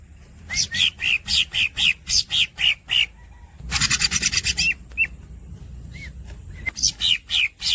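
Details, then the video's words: Greater green leafbird squeaks and long rolls: a string of sharp chirped notes about three per second, a brief rapid buzzy rattle, then scattered short whistles and more chirps. "The real green cucak masteran bird squeaks and long rolls"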